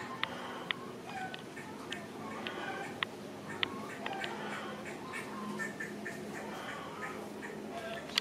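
A streak-backed oriole gives nasal, somewhat mewing notes mixed with sharp dry clicks at an irregular pace, over a steady low background hum.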